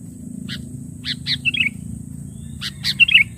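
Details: Sooty-headed bulbul, a lure sound to draw in rivals: scattered short chirps followed by brief clusters of bright, slurred whistled notes, with quiet pauses between bursts and a soft low background hum.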